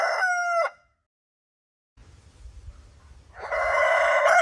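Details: The tail of one loud rooster crow fades to silence, then low rumbling noise gives way to the rough, strident start of the next crow.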